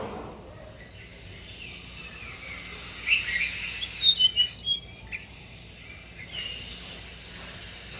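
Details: Tickell's blue flycatcher singing beside a bird bath: after a quiet start, a two-second burst of sweet, high, clipped whistles rising and falling, then softer notes fading into light background noise.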